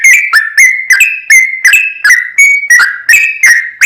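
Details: Sooty-headed bulbul 'trucukan' lure song meant to rouse another bird: a quick run of whistled notes with snapping onsets, some held level and some dipping, around eleven phrases packed closely together.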